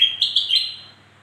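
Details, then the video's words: Black-crested bulbul song meant to prompt lazy birds to sing; the tail of a phrase, three bright whistled notes that fade out. "Suara Burung kutilang Emas Untuk Memancing Bunyi Burung Malas Bunyi"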